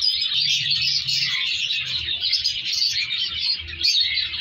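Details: Captive colour lovebird colony during breeding, chicks being moved apart; many birds chatter at once in a busy, high-pitched stream of sharp tweets and squeaks over a soft low hum.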